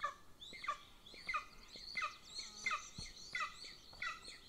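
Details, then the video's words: Younger golden eagle chick begging at a nest-camera site near the Central Training Field, Northern Estonia, while the female feeds its elder sibling; thin, high harmonic cheeps repeated roughly every half to two-thirds of a second. "LIL CHICK BEGS WHILE ELDER IS FED"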